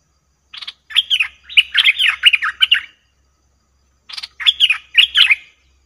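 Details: Lure call of a cream-vented bulbul for trapping, 02/11/2021: two phrases of rapid, chattering, liquid notes, each lasting a second or two, separated by a quiet gap.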